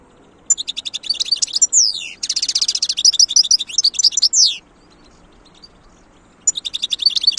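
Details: Wild European goldfinch singing: rapid, bright twittering phrases of buzzy and tinkling notes mixed with sharp downward-sliding whistles, a short pause, then twittering resumes.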